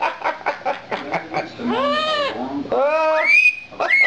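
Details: Pet lilac-crowned amazon parrot indoors, getting face time with its owners: a run of short chortling notes, then rising and arching whistled tones climbing high, with owners' voices nearby.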